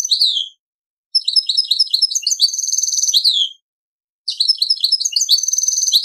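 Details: Goldfinch × canary mule singing in the Servati royal style: loud, very high twittering phrases with sweeping and trilled notes, broken by short silent gaps.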